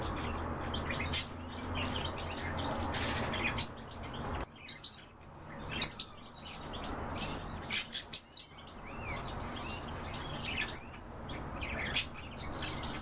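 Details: European bee-eaters keep up loose exchanges of short, bright, rolling chirps, some close and loud, others distant, with brief quiet gaps between bursts.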